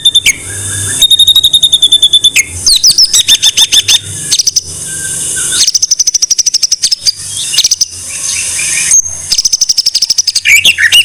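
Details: Masteran tutor song of the murai batu, or white-rumped shama: alternating bursts of fast high trills, rasping buzzy phrases and scattered whistled slurs, with pauses between the bursts.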